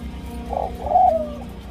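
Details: Senegal dove and ringneck dove hybrid, possibly second generation, kept in Thailand, cooing at the nest: a short low note followed by a longer rolling coo, with steady low hum beneath.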